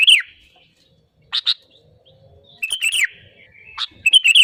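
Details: Sooty-headed bulbul lure song meant to prompt other birds into singing: a slurred descending chirp, a pause, a pair of sharp notes, then a busier burst of bubbly chirps.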